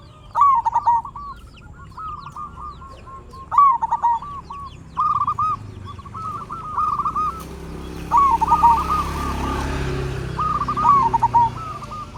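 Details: Energetic local zebra dove singing as a lure to prompt other zebra doves to reply. Bursts of stuttering coos with a rising note and rolled ending come every few seconds over a steady low rumble and faint hiss.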